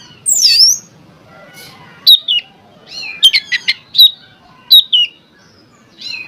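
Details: Oriental magpie-robin song for luring other magpie-robins into singing: a loud high arching phrase, then clear down-slurred whistles and a rapid series of sharp chips, repeated with short pauses.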